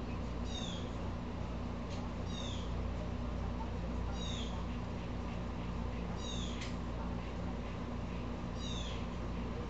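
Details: Agitated blue jay, upset again and stirring up squirrels, gives six raspy falling calls at irregular intervals, with a few sharp clicks and a steady low hum behind.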